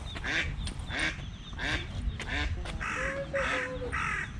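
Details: Early-morning Eastern spot-billed duck family on the move, two ducklings attacked by a cat; rasping quacks come in quick succession, with a thin, high steady peep running beneath the later calls.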